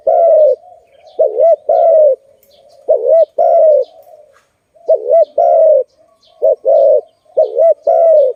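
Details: Zebra dove (Malay dove) repeating clipped cooing phrases about every one to two seconds, alternating rapid humped notes with longer falling coos, with soft hum between phrases. Recorded where doves are trapped.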